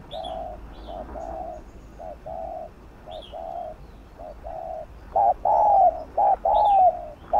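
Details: Spotted dove cooing in gù (bo) style, used to excite captive doves: softer short-long coo pairs at first, growing louder toward the end, with brief high chirps from another bird overhead.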